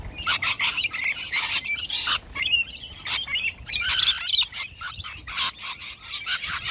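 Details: Flock of wild rainbow lorikeets in Australia in noisy chaos, giving bursts of shrill, raspy screeches and squeaky chatter in rapid irregular volleys with short gaps between.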